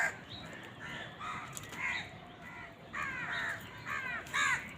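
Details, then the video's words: Crows squabbling over food give soft, distant caws in short runs of two or three hoarse, downward-bending notes, set against a steady background hiss. "Crows fight for food Crow Sound কাকের ডাক"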